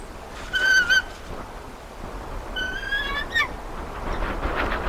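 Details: Eagle at the North Nest in Decorah: two high, clear whistled calls with ringing overtones, the second longer and ending in a quick downward slur, over soft wind and steady background hiss.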